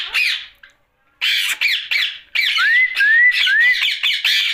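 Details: Night-time vocalising from a pet ringneck parrot: a raspy squawk, a pause, then a chattering string of harsh notes mixed with three smooth upward-sliding whistles.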